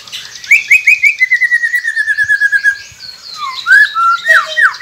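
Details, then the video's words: White-rumped shama song used as a training recording to prompt quiet captive birds to sing: a fast run of repeated bright notes gliding downward, then varied rising and falling whistles and sharp sweeps. "Murai Pendiam Cepet Buka Suara dengan masteran ini | shama bird"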